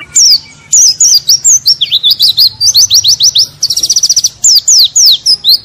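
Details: High, lively white-eye song meant as canary training material: slurred whistles and zigzag notes, then a quick buzzy trill and more falling whistles, over a faint low hum.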